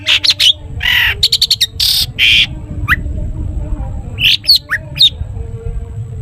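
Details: Long-tailed shrike giving a full 'toet toet' song used to prompt other shrikes to sing: clustered sharp high notes and loud raspy bursts, then a pause and a few scattered whistled notes, over steady low rumble.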